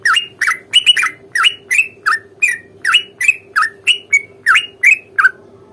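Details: Long rapid 'ropel panjang' fighting song of a Sooty-headed bulbul, played to spur a silent bird into answering; bursts of scratchy, down-slurred notes tumble out roughly three a second, ending on a drawn-out note, with constant background hum.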